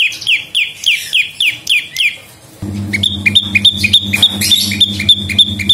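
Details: Prinia (prenjak lumut) song used as lure and master song: a row of falling high chirps, a short break, then quicker, clipped chirps over a steady low hum.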